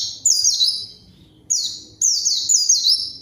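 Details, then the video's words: Short white-eye song used to coax silent birds into singing and call a rival: piercing, rapid down-slurred whistle notes in three quick bursts, each tumbling phrase only a fraction of a second apart. "PANCINGAN PLECI GACOR MANGGIL LAWAN COCOK UNTUK PLECI DIAM AGAR CEPAT BUNYI DAN GACOR"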